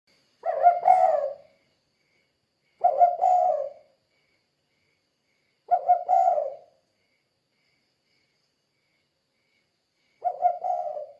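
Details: Spotted dove in vigorous 'kuk 2' style calling, used as a lure to prompt other doves to answer: short low hoarse coo phrases, each about a second long, repeated roughly every three seconds with silent gaps.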